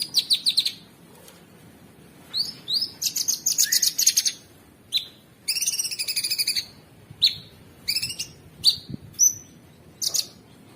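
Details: Cucak sungkok (sooty-headed bulbul), masteran training recording with harsh, rapid 'ngebren' filler for champion songbirds: bursts of buzzy high chirps and short rising whistled notes in clusters, with quiet gaps between phrases.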